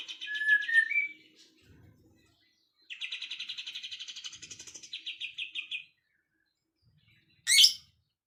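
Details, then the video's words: Afternoon chirping opens with short whistled notes. After a pause comes a long rapid buzzy trill of about three seconds, then one sharp, high chirp near the close. "kicauan sore hari relaxing Bird sounds"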